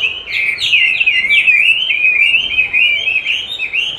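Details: Chinese hwamei answering playback of its own song during training, clearly fond of contesting its own voice; loud, unbroken melodious whistling with quick upward and downward slurs.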